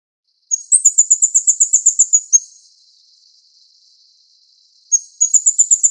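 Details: A Plain flowerpecker (Dicaeum concolor uchidai) feeding its chicks gives a very high, thin, rapid run of ticking notes, about eight per second, then a soft buzzy trail before another quick burst.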